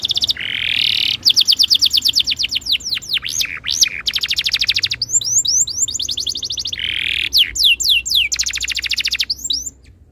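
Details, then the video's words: Canary tutor song used to get other canaries singing: fast buzzy trills alternate with high, sharply down-slurred whistled notes and a lower rolling trill, in a continuous varied flow with brief pauses. "MASTERAN BURUNG KENARI ABAD INI - BIKIN KENARI LAIN IKUT BUNYI"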